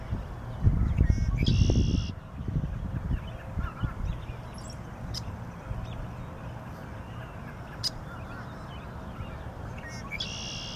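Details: Red-winged Blackbird perched in a Black Willow at a pond's edge, Lamar Park, Oxford, Mississippi, 13 March 2020, giving two harsh, buzzy trilled songs about nine seconds apart, half-buried under heavy low wind rumble.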